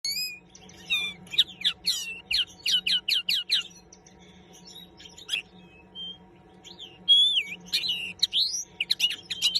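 A common linnet sings a rapid, twittering song of dry trills, buzzy notes and short fluting whistles, pausing briefly mid-phrase before resuming.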